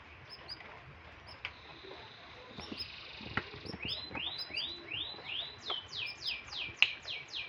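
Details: Canary in heavy breeding condition singing: soft high notes at first, then building into rapid rising swept whistles, then downward slurred notes repeated in a quick rhythm, over a hissy background.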